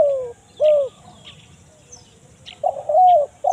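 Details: Spotted dove giving a kuk 1 mersik lure call to bring in wild birds in the forest: a short, low, hollow coo, then a longer, rolling, drawn-out coo, with faint chirps from small birds in between.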